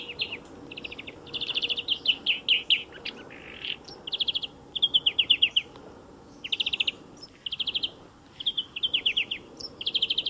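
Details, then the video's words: Sustained European greenfinch song recorded beside a motor racing circuit, with repeated bursts of buzzy trills and rattling note series every second or so, separated by short gaps, over a faint low hum. "VERDIER d'EUROPE - Chant remplacé pour cause de grand bruit"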